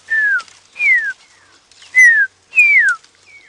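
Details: At dusk on an African safari drive, 4 Aug 2016, a drongo mimics a pearl-spotted owlet, possibly to deter other birds from its territory: four clear, loud down-sliding whistles about every 0.8 seconds, each followed by a fainter, shorter whistle.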